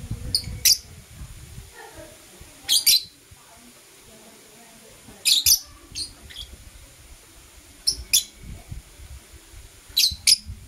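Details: Blue Opaline and Parblue Euwing Opaline lovebirds chirping in the morning: sharp, high paired chips recurring every two to three seconds, with low murmuring noise beneath.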